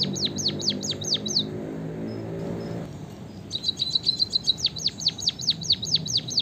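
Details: White-headed munia (bondol haji / emprit kaji), a cheap finch prized for its song, sings thin, very high notes sliding downward in two quick runs split by a brief pause; a low hum fills the first half.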